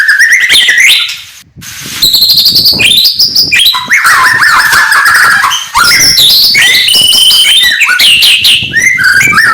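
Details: White-rumped shama in morning song meant to provoke rivals: varied fast whistles, slurred notes and trills, with a brief gap early on before a long continuous phrase.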